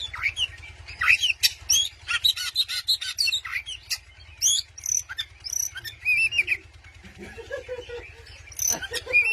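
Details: Caged white-rumped shama singing to provoke a rival: a rapid varied run of sharp chirps, whistled slurs and buzzy notes between 2 and 8k, in dense bursts with short gaps, over a faint low hum.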